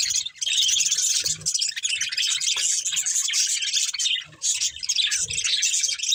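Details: Budgerigars of a breeding pair and their family chattering in a dense, continuous stream of high warbling chirps and twitters, with brief pauses near the start and around four seconds.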